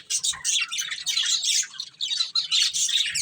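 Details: Budgerigar breeding pair chattering indoors: continuous high, buzzy warbles and squeaky chirps in quick overlapping bursts, with only brief gaps.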